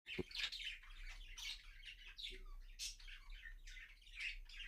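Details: Budgerigars, apparently mating, chatter in a busy stream of high, scratchy chirps and squeaks.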